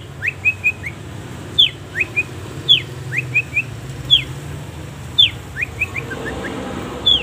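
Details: Long-tailed shrike singing a training recording full of pauses: sharp high downslurred squeaks, each followed by two or three short upward whistles, phrases spaced about a second apart, with faint low rumble behind.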